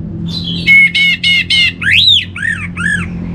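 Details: Orange-headed thrush, North Bali, played as a lure song: a burst of four harsh rasping notes followed by looping swooping whistles, with a low background hum.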